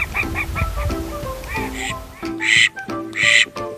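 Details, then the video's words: Call duck in captivity, from a comparison of female and male voices made to show differences in loudness: soft quacks at first, then two loud, harsh, drawn-out quacks, with quiet background music. "コールダック 雌雄の鳴き声比較"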